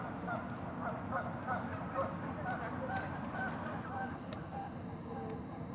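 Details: Canada goose filmed in Los Gatos, California, USA, on 16 March 2019, giving a quick series of nasal honks over a steady low rumble of background noise.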